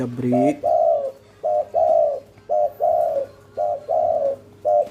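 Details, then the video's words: Local strain spotted dove, lively and vocal, in cetrekan style meant to draw a reply within five seconds: paired coos repeated about once per second, each a short note followed by a longer mellow one, steady rhythm. "Suara Tekukur Lokal Gacor, Cetrekan‼5 Detik Auto Nyaut"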